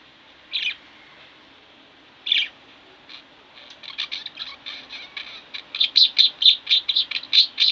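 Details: Pet budgerigars, two indoors, two lone chirps with long gaps, then quickening twittering that builds into loud bright chirps repeated about twice a second.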